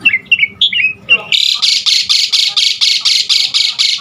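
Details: Asian pied starling song, a prompting recording for caged birds: several short rising whistled slurs, then a steady rattle of about twelve loud scratchy notes, roughly four each second.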